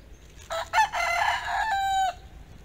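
A rooster gives one full crow lasting about a second and a half, opening with short harsh notes and ending in a long, strained, rising-then-falling cry.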